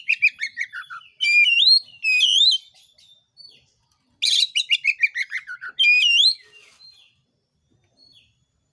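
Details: Oriental magpie-robin song played to provoke rival birds into singing: loud, rich whistled phrases with swooping up-and-down notes, alternating with fast stuttering runs of repeated bright notes, in bursts separated by short pauses.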